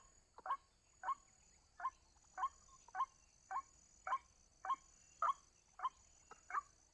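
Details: A white-breasted waterhen answering a lure with a steady run of brief abrupt notes, roughly one every 0.6 seconds, a faint high hiss and whine running behind.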